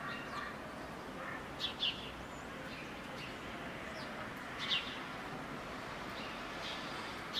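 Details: Possibly a white-rumped swallow (identification uncertain), giving short, high chirps, mostly in pairs, every few seconds over a steady hiss of background noise.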